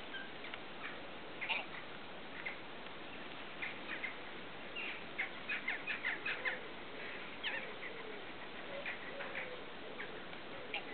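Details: Eurasian oystercatcher pair with their three chicks at a breeding site on the rushy lake at Slimbridge Wetland Centre, Gloucestershire; short sharp calls come in scattered bursts, with a quick run of clustered notes midway, over steady background hiss.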